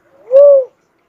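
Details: A smooth cuckoo-dove coo swells in, holds a steady mid-pitched tone, then dips slightly at the end, lasting about 0.4 seconds.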